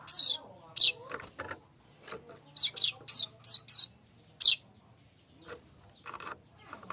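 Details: Lure recording of streaked weaver: sharp, high, scratchy chirps, first spaced out, then a quick run of four, then a lone note and faint scattered ticks.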